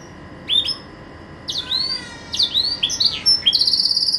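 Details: Pet green canary singing: sharp whistled upslurs and clear rising notes high in pitch, sparse at first, then a quick trill of repeated notes near the end, over faint steady background hiss.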